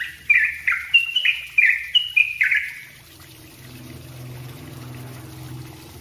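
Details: Yellow-vented bulbul's dense training song: about seven quick, bright, falling chattered notes in the first half, then the bird stops and only a low rumbling background hum remains.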